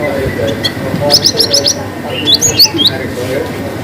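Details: Cinereous tit in gacor wucit panjang song with variations: a fast series of five bright, evenly spaced high notes, then a pause and several rising and falling whistled sweeps, with music and a low hum underneath.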